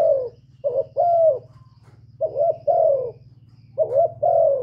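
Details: Cooing of a spotted dove from Cà Mau, Vietnam, used as a lure to excite decoy birds: soft, throaty coos, a brief note followed by a longer drawn-out one, repeated three times over a steady low hum.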